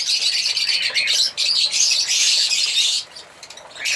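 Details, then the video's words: Shrill, busy twittering from African lovebirds that carries for about three seconds, then drops to a quiet lull before chirps resume at the end. "African Lovebirds singing and chirping sound"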